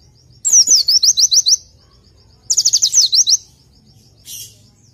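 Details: Pleci (oriental white-eye) training song: two phrases, each a fast series of about seven high descending chirps, then a brief faint burst at the end over quiet low background hum.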